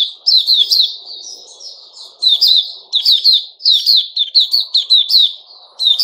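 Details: Male sooty-headed bulbul, 10 July 2021, singing loud runs of quick piping notes that build into chattering phrases, with softer warbles and a faint low hum between them.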